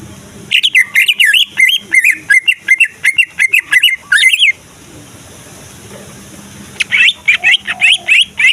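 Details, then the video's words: Greater green leafbird singing as a lure to provoke other leafbirds into singing and fighting: a fast run of loud whistled, slurred notes for about four seconds, a brief pause, then another burst of sharp chirps. "Cucak Ijo Dijamin Ikut Jamtrok Nyaut Bunyi Ngamuk Mendengar Suara Cucak Ijo Gacor Ini"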